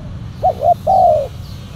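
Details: Spotted dove during trapping with a silver, black-collared decoy: one crisp three-part coo, two short clipped notes and then a long drawn, slightly falling coo, over a faint low hum.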